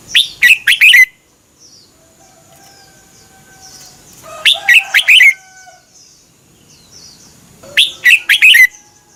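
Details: Red-whiskered bulbul from Thailand, a caged songbird, singing to tutor or excite other caged birds: three quick bubbly phrases of about five chirped, warbling notes, spaced roughly four seconds apart, with faint lower drawn-out notes between.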